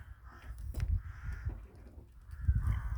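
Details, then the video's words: Winter village crows give three rasping caws, each a short drawn-out harsh note, against a constant low rumble. "the sound of crows"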